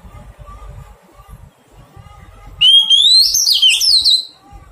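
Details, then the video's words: Newly caught wild Oriental magpie-robin, caged and being tamed, gives one loud rising whistled phrase that breaks into harsh, tumbling notes for under two seconds after a quiet stretch of low room rumble. "Thuần hóa chòe than bổi"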